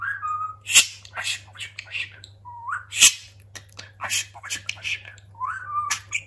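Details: Pet talking budgerigar chattering: short whistled notes sliding upward, mixed with rapid buzzy, clicking bursts and scratchy syllables in quick irregular succession, with a steady low hum behind.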